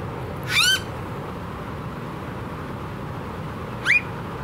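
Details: Blue-faced honeyeater in Australia calling twice: a loud rising, whining note, followed about three seconds later by a shorter, sharper upswept note, with faint background hum.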